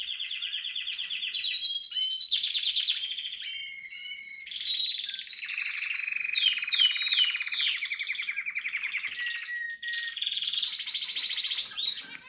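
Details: Harz canary in song alongside red and variegated canaries, delivering a long varied sequence of rapid trills, rolls and short whistled slurs, dropping in pitch midway and continuing with steady pulsed phrases.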